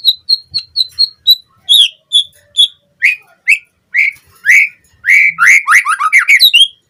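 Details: White-rumped shama song on a lure for captive birds: a quick even series of high piping notes, then spaced upslurred whistles, building into a fast tumbling run of varied notes.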